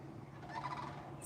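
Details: Sandhill Crane in Florida, one on the ground and one in the air calling back and forth to each other: a brief, rolling, trumpet-like rattle of a few quick notes, somewhat distant, over a low background rumble.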